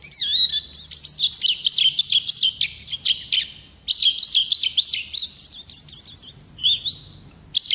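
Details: Wild-type 'ngalas' Oriental white-eye in full 'ngerol' rolling song for tutoring other birds: dense, high, chattering warble in fast bursts, a short break near the middle, then more twittering phrases.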